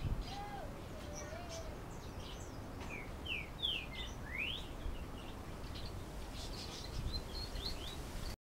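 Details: Diademed tanager from Canoas, Rio Grande do Sul, giving its galloping song ('canto galopeado'): a few quick slurred notes, then a short burst of rising, sweeping notes mid-clip and more faint notes near the end. A low wavering whistle sounds early on, over steady background noise.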